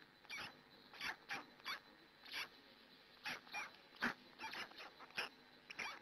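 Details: Early-morning black stork nest in Hungary with the female tending her chicks, live-stream camera; harsh wheezing squeals repeat in irregular pairs and runs, some with a whistled edge, fairly loud and close.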